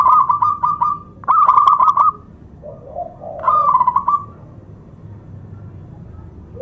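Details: Local zebra dove singing a loud, rhythmic lure song meant to excite other doves and spur silent ones to sing: rolling trilled cooing phrases in bursts separated by pauses, over a steady low rumbling background noise.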